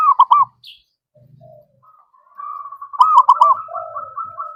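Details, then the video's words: Song of a zebra dove, played as a lure to draw out other birds: bubbling trilled coos, a quiet pause with soft low thumps, then a long rolling purr with loud staccato notes. "Suaranya🔊Bagus Lagi Paling Di Cari Ampuh!!! Untuk Pancingan"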